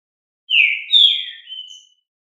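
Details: Green-winged saltator of the fibra song style, singing strongly: a loud whistled phrase of three slurred notes, the first dropping, the second bright and high, the last a thinner trailing whistle, in a quiet setting.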